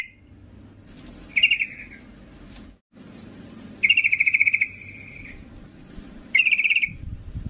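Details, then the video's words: Yellow-vented bulbul female calling to the male with three rapid stuttering trills, the middle one trailing into a longer level note. A brief silent gap falls between the first and second calls. "Trucuk BETINA MEMANGGIL JANTAN"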